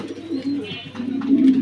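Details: Pigeons kept at a farm in Mirpur, Dhaka, indoors; low, soft droning coos running steadily, rising into a louder purring coo near the end.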